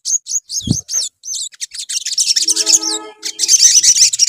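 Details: Bulbul (sogon) lure song: rapid, high-pitched twittering and chattering, with quick rising and falling notes in a dense, continuous stream. A brief low thump is heard near the start.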